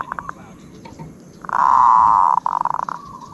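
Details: Zebra dove song, noted for its 'od': a few soft pulsed notes, then a loud, sustained, burring trill that ends in fast stuttering notes and a fading quiet trill.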